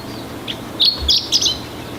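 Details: Chestnut-eared bunting singing at Oku-Nikko, Japan: a quick, high twittering phrase of a few bright, slurred notes lasting under a second, over faint background hiss.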